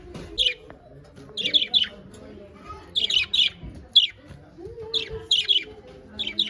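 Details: Pet budgerigars, described as happy, chirping in brisk bursts of two or three bright, warbled notes, repeating about once a second against a quiet background.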